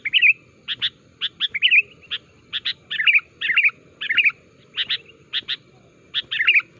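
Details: Sooty-headed bulbul calling so other bulbuls answer and sing: irregular clusters of sharp chirps alternating with short bubbling warbles, over faint low background noise.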